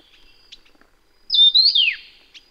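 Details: Taiwan yuhina, endemic to Taiwan and found at low to high elevations, gives one clear whistled phrase after quiet chips: a rising note followed by a sharp descending slide.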